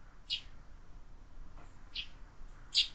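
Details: Sparrows at a window-mounted feeder used for year-round bird feeding, with more and more fledglings arriving; three short, bright chirps spaced over three seconds against a quiet background.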